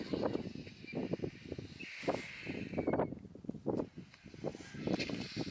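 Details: Vultures in a crowd squabbling over a lion kill on the third of four days. Rough, rasping bursts come in quick irregular clusters, with short gaps between them.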